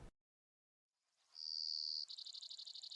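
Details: A male Brewer's Sparrow, close by on his territory in big sagebrush near Silver City, Montana, on a July 2022 morning after sunrise, gives his two-buzz short song: a brief click, a high steady buzz, then a faster, rapidly pulsed buzz.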